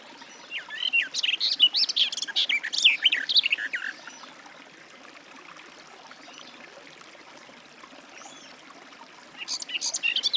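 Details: Garden warbler song: a rapid, bubbling warble lasting about four seconds, then near silence with faint background hiss, before a new burst of warbling begins at the end.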